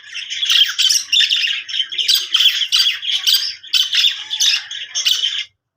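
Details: Budgie giving happy chatter: bursts of harsh, buzzy squawks and chirps in quick succession, each burst about half a second long, ending abruptly in silence.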